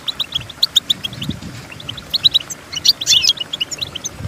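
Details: Goldfinch song for teaching goldfinches to sing: quick series of separate high chirps building to a louder tangled trill around the three-second mark, with some low background rumble.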